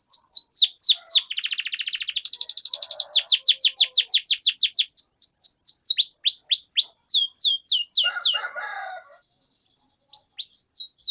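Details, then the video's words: Canary in full rolling song, a long 'ngerol' style: a dense high buzzy trill, then a steady series of falling whistled notes, slowing and fading out with a harsh lower chatter and a few last chirps. "Suara Pancingan Burung Kenari Agar Cepat Gacor dan Ngerol, Masteran Suara Kenari Ngeroll Panjang"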